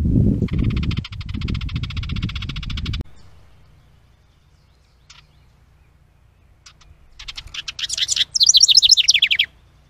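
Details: House wren at a bluebird nest box holding its stick nest, captured by trail camera on 10 May 2023. Loud low rumbling and a buzzy chatter come first, then a rapid, bubbling, tumbling high song near the end.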